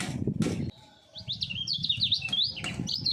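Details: Caged three-year-old common iora, a songbird groomed as a contest challenger, singing at full speed in a double voice: after loud thumps and a short pause, rapid whistled phrases zigzag up and down with a low background rumble.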